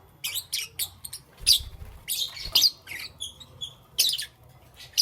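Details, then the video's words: Lovebird chirping in the morning, spaced high screechy chirps and short squeaks, a few thin whistled notes between, with low background rumble. "Lovebirds Chirping Sounds"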